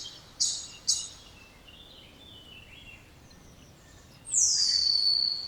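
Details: Spotless starling: two short high chirps, then faint warbling, ending in a long, loud whistle that slides down and levels off.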